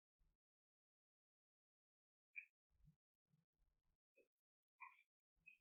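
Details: Red-flanked bluetail (Tarsiger cyanurus) giving its 'jiji' call (not song): a few short, dry, slightly buzzy 'jit' notes, widely spaced over several seconds, with soft low thumps between them.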